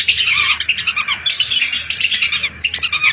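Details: Hundreds of lesser whistling ducks used as a lure sound: rapid, pulsing high whistles from many birds at once, rising and falling in short loud bursts throughout.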